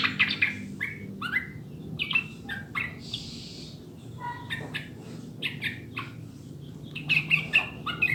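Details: Sooty-headed bulbul singing, used to get caged birds to sing. Short gurgling whistled phrases come in irregular bursts, with a brief hissing burst midway and a steady low background hum.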